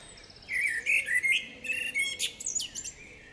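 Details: A Common Blackbird in a forest sings a rich, varied run of fluted, warbling phrases, perhaps to attract a mate or claim territory, breaking into thin, high twittering notes, lasting about three seconds.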